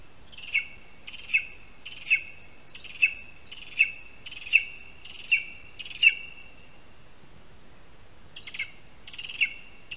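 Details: Lesser spotted eagle at a spruce nest in Latvia during a rat prey delivery, 22 August 2021; eight high yelps spaced under a second apart, a pause, then two more calls.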